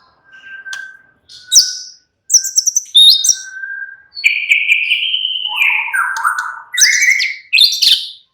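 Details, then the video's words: Murai batu (white-rumped shama) singing in a relaxed style, starting with soft level whistles, then quick clicking chips and a long wavering whistle that drops and rises again. "murai batu sudah ikut NYRECET GACOR dengan kicau Santai Murai batu ini"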